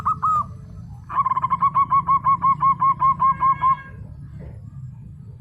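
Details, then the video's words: Local zebra dove: two opening coos, then a long, regular series of about fifteen crisp cooing notes at an even pitch, and quiet background after. "PERKUTUT LOKAL GACOR, burung ciri has 💯 % nyaut"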